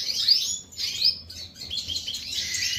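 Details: European goldfinch of the opal colour mutation, kept in an aviary, singing a high, rapid, liquid twittering. Bright tinkling notes run almost continuously, with a brief dip in the middle.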